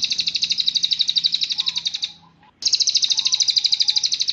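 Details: Cililin song used as a master recording for training songbirds: a fast, high, pulsed trill lasting about two seconds, a short silence, then the same rapid trill resumes, with faint low notes underneath.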